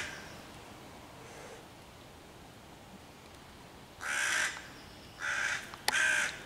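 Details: Hooded crow on 11 June 2023 calling against five young raccoons in a tree, to chase the predators and call other crows to attack. Quiet start, then three strong rasping caws in the second half.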